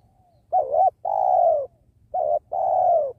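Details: Spotted dove (tekukur) heard while wild doves are being trapped next to a sacred tree. Two clear coos each open with a brief quavering note and end in a drawn-out, slightly falling purr, over a soft low hum.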